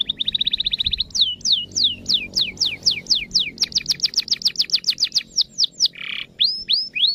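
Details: Canary song aimed at making other canaries join in: opens with a fast, even metallic trill, shifts into repeated down-sweeping whistles that accelerate into a rattle, then a buzzy rasp and rising whistles.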